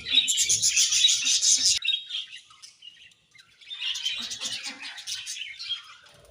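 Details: Happy colony of budgerigars giving dense, bright chattering chirps and warbles, loud for nearly two seconds, then a near-silent pause, then a second, softer burst of overlapping chirps.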